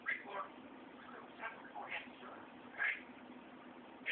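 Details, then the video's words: A 3-year-old male African grey parrot talks in a clear, human-like voice, calling a name and "You hear me?", then "Recruit Semper reporting as ordered... Yes sir," with pauses and a faint low hum. "African Grey Parrot Talking"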